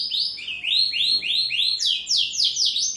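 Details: Caged canary singing actively: a steady series of loud, sweeping whistled notes, each sliding upward, rising into higher, sharper syllables in the second half, delivered rapidly and continuously.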